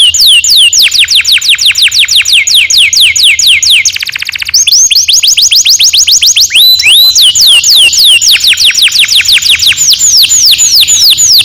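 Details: Canary singing a long roll as a lure for young birds: fast whistled down-sweeps, a dense buzzing trill in the middle, then swooping notes and more rapid rolling phrases.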